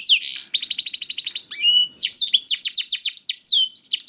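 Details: Song of a young canary (kenari paud) used to encourage silent canaries to sing: a rising sweep, fast evenly spaced trill notes, a brief buzzy burst, then varied rapid whistled phrases.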